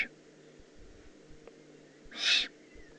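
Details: Eurasian eagle-owl juvenile, Eifel, Germany, 18 June 2016: one loud, short, noisy screech-like hiss after two quiet seconds, with the end of a previous hiss audible at the very start.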